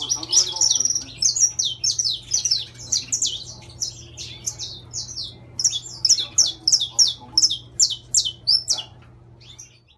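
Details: Intense-yellow saffron finch delivering a long, energetic song of rapid, high, sharply falling chirps repeated in quick succession for about nine seconds, a brief pause midway, then stopping abruptly.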